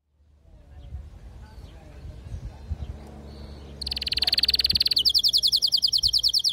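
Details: Domestic canary at home singing, given as a female calling to mate while a male sings; after a quiet noisy start, a rapid buzzy trill begins, then fast repeated high chirps, pulsed several per second, with low background hum.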